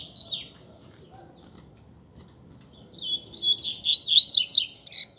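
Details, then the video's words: Double-collared seedeater in a singing contest: a short high chirp, a long quiet pause, then a loud run of about ten rapid, slurred whistled notes. "Coleiro Disputa de Canto"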